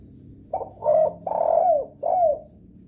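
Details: One phrase of a spotted dove's lure call to set other doves calling: a short coo, a fuller coo, a long drawn-out hoarse note, then a falling final coo.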